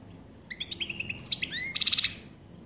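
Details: Common chaffinch song: a rapid series of evenly spaced, bright, falling notes, then a second faster descending phrase, finished by a short buzzy terminal flourish. Clear and close against faint background hiss.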